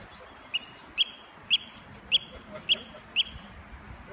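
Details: Eurasian oystercatcher attacking as a distraction near its nest, giving loud, piercing, high piping calls roughly every half second, with faint background noise.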